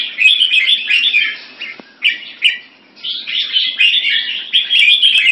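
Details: Red-whiskered bulbul singing at a Singapore competition it won for the first time: lively warbling chirp runs broken by two short gaps, then rising again into dense, rapid twittering.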